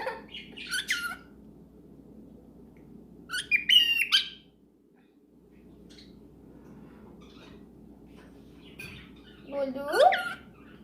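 A cockatiel gives three bursts of harsh, harmonic squawks, the last sweeping sharply upward, over a low indoor hum.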